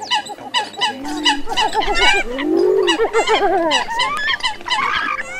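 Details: Eurasian coot calls for luring migratory birds into nets at night, August 2023 season: loud nasal honks in overlapping bursts, several wavering calls layered at once, with a rising and falling drawn-out note near the middle.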